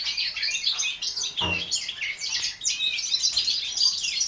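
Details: European goldfinch hybrids, four months old, 2012 season: fast, jumbled high-pitched twittering with scratchy trills and sweet chirps running throughout, plus a brief thump midway.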